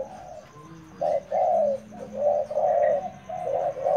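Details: Spotted dove kept as a decoy, cooing in low, rough notes that come in uneven bursts, with a faint higher chirp in the background.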